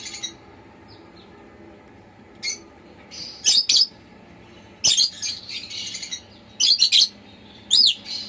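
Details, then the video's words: Chirping of a pet lovebird kept indoors: after a quiet start, a run of piercing short chirps and rasping twitters comes in irregular clusters, some doubled, over a low background hum. "Lovebird Chirping Sounds So Sweetly"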